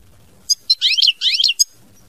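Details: 'Mama binette' song of a European goldfinch: short clicks followed by two twisting, sliding, rasping phrases, high and metallic, with a final sharp tick.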